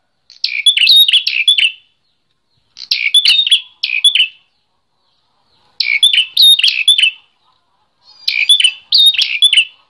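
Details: Bar-winged prinia song used to train and stimulate other songbirds; four clusters of quick, scratchy chirps with thin high whistles, each cluster about a second long, spaced by pauses of roughly one second.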